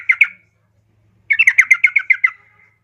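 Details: Female yellow-vented bulbul calling to a male, played as a lure to make kept bulbuls sing: two quick chattering notes, a pause, then a fast run of about nine bright, bubbly notes that fade out.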